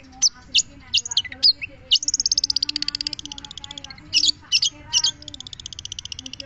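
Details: Long-tailed shrike mixing high sharp chips with a long, even, rapid trill of high notes lasting about two seconds, then more clipped harsh notes.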